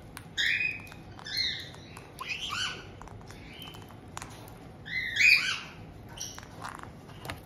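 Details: Captive white-bellied caiques in Tokachi, Hokkaido, Japan, on 18 June 2023: a resident pair welcoming a newly arrived young bird about two months old. Several harsh, harmonic squawks sound in short bursts about a second apart, with quiet room noise between them.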